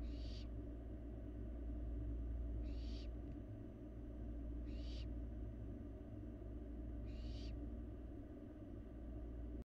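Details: Barn owl fledgling eating in a Florida nest box: four short, harsh hissing screeches spaced about two seconds apart, with a steady low hum throughout.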